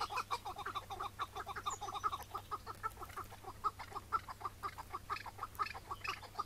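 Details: Chukar partridge calling on a May 2017 morning during a hunt with a decoy partridge, before the wild bird was caught and released: rapid, throaty chuck notes repeated about twice a second in an uneven, steady run.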